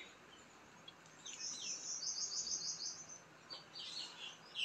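Ducklings give thin, high peeps in quick runs, including a fast stuttering series of sharp chirps, over a faint background hiss.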